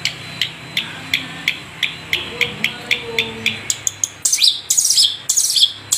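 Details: Long-tailed shrike of the Madura type (cendet), used as a tutor recording; a run of short, sharp high ticks repeated about every third of a second, then breaking into louder harsh, scratchy bursts.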